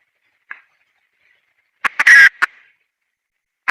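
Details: Female red junglefowl in the wild: a lone cluck, a silent gap, then a quick run of clucks around a harsh, grating squawk, ending with another cluck.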